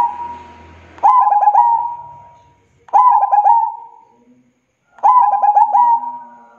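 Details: Local zebra dove (perkutut) in full song, three cooing phrases about two seconds apart, each a rapid run of four or five stuttered notes drawn out into a sustained clear tone; slight low background hum.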